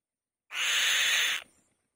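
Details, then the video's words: One rough, broadband rasping screech of nearly a second from a female white-tailed kite sitting on her nest, loud and steady, then silence. "White-Tailed Kite | The Female Bird Makes a Loud Noise On The Nest"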